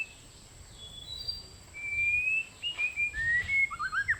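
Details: White-rumped shama, its song played as a trapping lure, giving clear drawn-out whistles that rise and fall, followed by a quicker series of short slurred notes, with a soft background hum.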